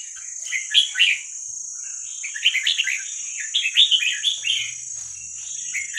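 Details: Wild young red-whiskered bulbul from Vietnam, used for training young birds, gives a run of lively chattering phrases, short warbled notes bunched in quick groups with brief pauses between them; a constant high-pitched hum underlies everything.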